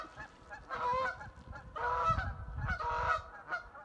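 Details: Geese in spring honk in loud, nasal bursts, four harsh calls about one a second, over a low rumble of wind or traffic. The honking may be geese claiming nesting territory from other geese.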